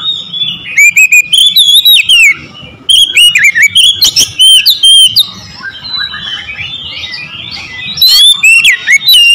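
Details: Loud, varied song of an Oriental magpie-robin: repeated bursts of sweet whistles, slurred notes and harsh accents, with brief softer warbled passages between the phrases.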